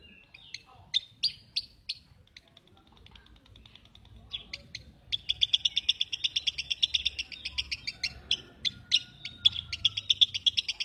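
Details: Lovebird giving a few spaced sharp chips, then a long, fast, irregular stream of high chattering notes that carries on to the end.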